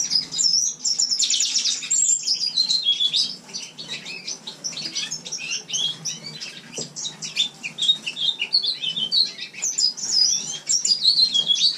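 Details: Captive male house finch sings a long, tumbling warble of high, bright chirps and slurred notes with a brief softer lull. It was recorded in winter in a shared room. The song reportedly gains more whistles in spring.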